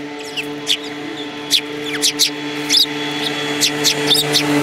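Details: Sparrows, including a yellow-beaked bird, on 21 January 2018, giving quick bright chirps about twice a second in an irregular run, with a steady droning tone underneath.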